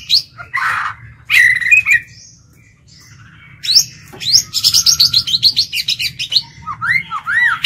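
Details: Lure white-rumped shama singing to provoke and challenge other birds, in wild-style voice: harsh notes and a pause, then a fast rattling series of high repeated notes ending in rich looping whistles, with a low hum.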